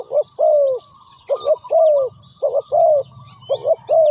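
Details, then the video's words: Spotted dove cooing: repeated phrases of a short double note followed by a longer, slightly falling mellow coo, given about four times in quick succession, with faint high chirps from other birds in the background. "Sound Of Spotted Dove is so good"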